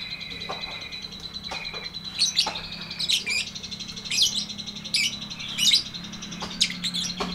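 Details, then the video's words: A lovebird's long ngetik ngekek chatter begins with a few soft clicks, then builds into harsh, scratchy high bursts repeated roughly every second, over a faint steady tone and low hum. "MASTERAN LOVEBIRD NGETIK NGEKEK PANJANG FULL DURASI!!"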